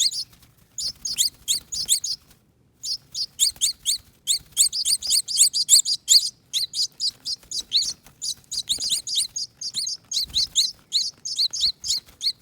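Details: Baby finches, two young rescued from a nest on a front door wreath, begging while being fed. Near-continuous bursts of thin, high squeaky chirps in clustered runs, one short silence early on.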